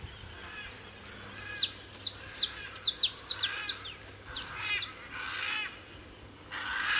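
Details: Male saffron finch singing free in nature at Tupi Paulista, São Paulo, Brazil: a lively run of sharp, high chirped notes, some descending, delivered in quick irregular bursts, then softer trailing notes and quiet background.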